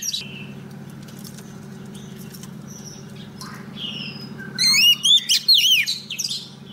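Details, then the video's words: Female Oriental magpie-robin song calling a male, used for trapping: soft scattered whistles, then a loud run of rising and falling looping whistled notes repeated quickly, with a faint low hum throughout. "Choè than mái mồi hót gọi trống cực hay"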